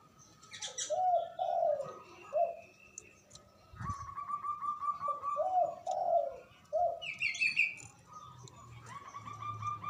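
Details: Javanese local zebra dove with a strong, long-breathed voice that summons rivals to reply: repeated mellow trilled coos, while another bird gives higher chirps and a thump sounds in the background.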